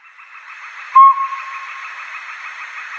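A Northern Pygmy-Owl gives a single short, clear whistled toot, steady in pitch like a small train whistle, over a soft background hiss.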